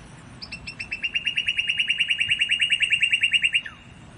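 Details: Northern cardinal song: a fast, even trill of short whistled notes on one steady pitch, about five per second for three seconds, ending in a brief down-slurred note; quiet background.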